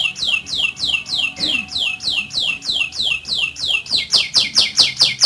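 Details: Canary giving a rolling song, offered as a tutor recording for silent canaries: high downward-sweeping notes repeated about three times every two seconds, growing louder and sharper toward the end, over a low background hum.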